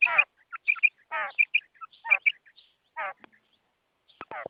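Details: Female quail, sound used for quail trapping: short bright paired notes repeated irregularly, mixed with harsh, buzzy, downward-sweeping rasps and a few faint clicks between them.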